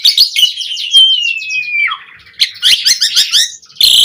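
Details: Asian pied starling in lively song used for training kept starlings: chattering notes lead into a long descending whistle, then further rapid whistled chatter and a final harsh buzzy note.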